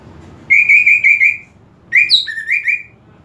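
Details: Greater green leafbird singing to provoke aggression: a steady, slightly wavering whistle held for about a second, then after a pause a varied phrase of rising and falling whistled notes.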